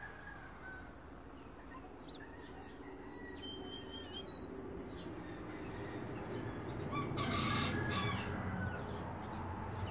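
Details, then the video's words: Tutored canary in 'silvado' style, giving high thin whistles and several sliding, rising notes, then a rougher burst of rapid notes near the end, fairly quiet against a steady low background hum. "Canario cantando"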